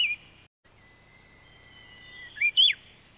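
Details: Taiwan Fulvetta, a Taiwan endemic of the high mountains: a brief high note opens, then near the end two quick sharp chirps, the second sweeping steeply downward, set against a steady thin background hum of high tones.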